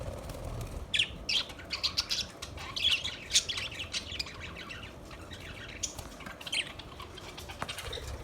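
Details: Budgerigars chirping: scattered short squawky chirps and bright warbling notes, loudest between one and four seconds, over a steady low background hum.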